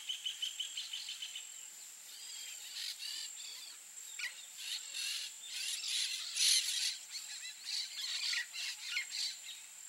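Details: Peach-fronted parakeet calling in harsh, scratchy bursts, repeated rapidly in uneven clusters and swelling louder midway, over a steady high-pitched insect whine.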